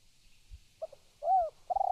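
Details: Close spotted dove calling: two tiny soft notes, a rounded coo, then a long purring note beginning as the sound ends, with faint low thumps beneath.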